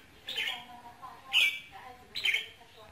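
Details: Red-whiskered bulbul song meant to excite a male bird, with ché, kình and rít tones: three harsh, squawky chirp bursts spaced about one second apart, the middle one loudest, over quiet background.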